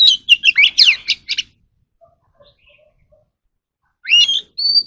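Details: Oriental magpie-robin song played for voice training of captive birds: a quick run of sharp, sweeping whistled notes, then silence and a rising whistle with a sustained high note.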